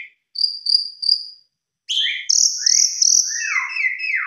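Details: Javan pied starling song used as a lure to set other Javan pied starlings singing, packed with varied fill-in phrases: three short high whistles, a pause, then loud sustained whistles sliding into lower, falling, slurred notes.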